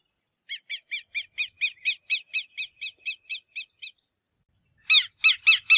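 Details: Southern lapwing (Vanellus chilensis), call.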